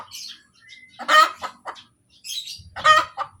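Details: Domestic chicken hen cackling after egg laying: a short clucking lead-in, then two loud rasping squawks about two seconds apart, with a thin whistled note and soft chirps nearby.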